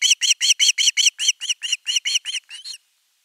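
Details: Young osprey on the nest crying long for fish: a string of about fifteen shrill, rasping notes, steady at first, then weakening and softening at the close.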